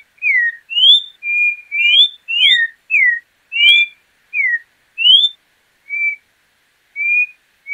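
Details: Orange-backed troupial delivering a lively string of about a dozen whistled notes that alternate between falling slurs, rising slurs and short level tones, fairly evenly paced, with no other sounds.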